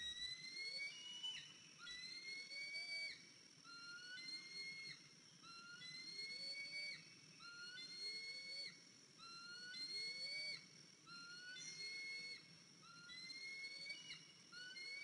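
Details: Eaglet, 103 days old, back at the nest on the morning of April 14, 2023, with a limp, after leaving after fledging. A long series of high whistled notes, each rising then dropping, repeats about every two seconds, with lower arching tones.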